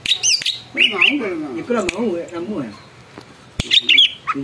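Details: Loud greater green leafbird, its singing claimed to set other birds off in song and agitation: short high squeaky chirps and whistles in bursts, separated by lower wavering warbles and knocking sounds.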